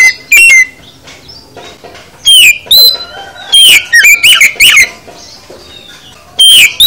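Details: Oriental magpie-robin (kacer) singing a full isian song meant to spur other kacer to sing: loud, clear whistled phrases with sliding and rising notes, sung in short bursts separated by quieter pauses.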